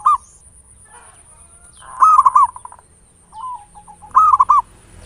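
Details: Local zebra dove lure song in ngayer nulop style, used to stimulate singing: two clear phrases of quick, bubbling coos about two seconds apart, with a softer single coo between, over a faint high-pitched whine.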